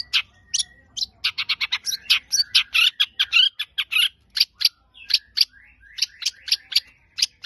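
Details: Long-tailed shrike, known locally as cendet, singing a loud, dense, high-pitched song of sharp chirps and quick rapid notes in varied bursts with short slurred whistles, over a quiet background.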